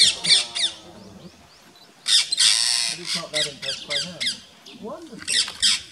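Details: Rose-ringed parakeets in Gir Forest, Gujarat, India, on 3 April 2015, mobbing a rat snake and nipping its tail, give harsh, grating screeches in rapid bursts, several calls a second, with people's voices murmuring underneath.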